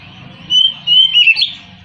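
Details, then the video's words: White-rumped shama kept as a prized cage bird giving three short clear whistled phrases, the last twisting and slurred, over a steady low hum. "KICAU BURUNG KACER"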